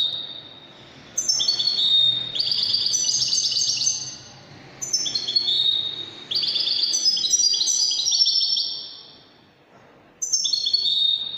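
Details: European goldfinch performing Moroccan Widani-style song, with long runs of rapid, liquid twitters and chiming notes in three bursts, each a few seconds long, broken by brief silences.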